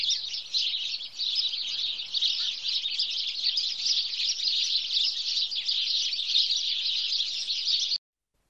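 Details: Continuous chatter of a house sparrow flock in Wittlich, 2017: dense high chirping for about eight seconds, after which the sound cuts off abruptly into silence.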